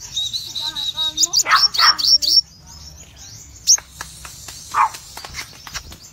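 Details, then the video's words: A red-eyed cremino Crimson sunbird gives a burst of high, rapid ngobra twittering mixed with lower chattering notes, then falls mostly quiet, with only a few scattered sharp chips. "Sogon Gacor Ngobra Full Tembakan"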